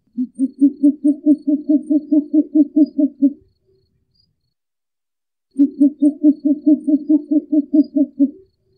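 Short-eared owl giving two runs of low, rapid hoots, about fourteen evenly spaced notes in three seconds, with a pause between runs.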